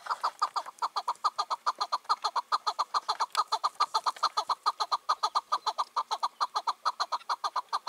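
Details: Evening calling by a released wild chukar partridge, five to six years old, ruling its territory on 4 June 2023: a steady, regular stream of short chuck notes, a little over two each second.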